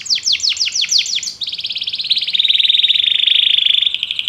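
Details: Belgian canary song, a quick string of falling chirps that gives way to a long buzzy, rolling trill holding a steady high pitch, with faint background hiss.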